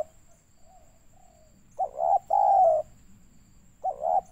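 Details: Spotted dove call from Pekanbaru, Riau, Indonesia, used as a lure for trapping birds, a 'banggo' style voice: after faint soft notes, a low cooing phrase of two short coos and a longer drawn coo, then another coo pair, with a steady high electronic whine.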